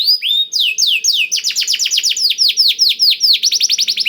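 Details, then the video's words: Blackthroat-style filled song of a canary, intended as a lure to start canaries singing: rising whistle, then repeated swooping downward notes speeding into a fast rattle. "KENARI ISIAN BLACKTHROAT #175 || VOICE OF CANARY"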